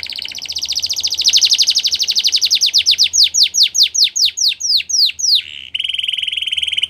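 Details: Canary singing to encourage other canaries to sing: a fast trill of high downslurred notes swells, slows into separate sweeping notes at a regular beat, then shifts to a steady high buzzy roll.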